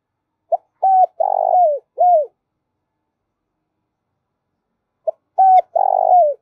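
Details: Lure call of a spotted dove for trappers, used to provoke decoy birds of both sexes: two cooing phrases some three seconds apart, each a brief note, a level hoot, then a longer raspy coo sliding down, the second cut short.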